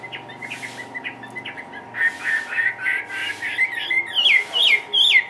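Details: Caged Chinese hwamei, hopping about, begins with soft scattered chips amid light background rustle, then rises into clearer looping whistled phrases with sharp slurred notes at the end.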